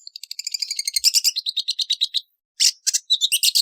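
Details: A rapid, stuttering trill of short notes from a long-tailed shrike (Lanius schash) runs into scratchy buzzy phrases, then after a pause come loud, harsh bursts.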